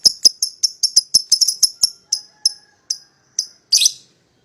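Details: Young lovebird pair used to draw a rival into singing, giving crisp, high clicking ticks that start quick and then slow to spaced single notes, ending in a short rasping burst.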